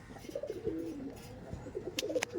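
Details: Caged domestic pigeons, Teddy Kamagar kind, offered for sale: soft low coos in short rolling bursts, with thuds and a couple of sharp clicks near the end.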